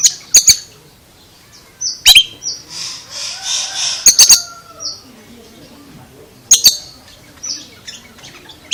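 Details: Unusual vocalising from an Oriental magpie-robin: sharp paired clicks repeating every two seconds or so between high short whistles, plus a brief noisy rushing passage in the middle.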